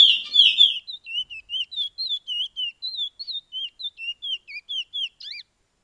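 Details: Chestnut-bellied seed-finch training song ('pijé-pijé', Suriname), possibly several birds: a quick warbled burst, then clear, high whistled notes, about three a second, each sliding up and down, with a bird calling for interaction.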